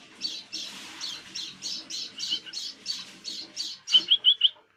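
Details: Caged white-eye calling at dusk, a series of about eleven rasping, buzzy notes followed by four brighter, sharper chirps at the end.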